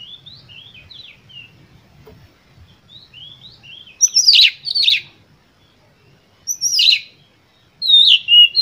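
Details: Oriental magpie-robin song, an emotional full-voiced lure meant to provoke other magpie-robins: soft high warbled notes, then loud bursts of sweeping whistles and harsh rasping phrases after long pauses, with faint low rumble beneath.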